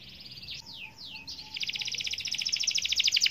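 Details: Canary singing a long rolling song (ngerol) to get other canaries singing: a few steep downward-slurred whistles open, followed by a rapid, steadily repeated high trill that grows louder toward the end.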